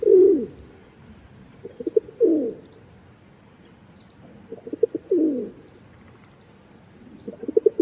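A Rock Dove gives low, throaty coos: a few short stuttered notes, then a rolling, down-slurred coo, repeated about every three seconds.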